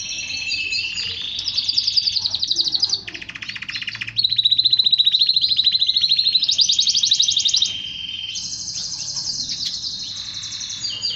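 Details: Male canary singing, used to get males singing and excited: a long run of distinct trilled sections at shifting pitches, some loud rapid rattles, others softer buzzy rolls, with brief pauses between.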